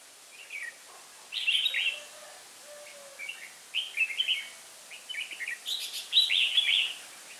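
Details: Red-whiskered bulbul decoy from Hòa Bình singing in the fierce 'ché' style during trapping, recorded 18 December 2016: short warbled, bubbly phrases in bursts, the loudest near the start and end, over a faint hiss.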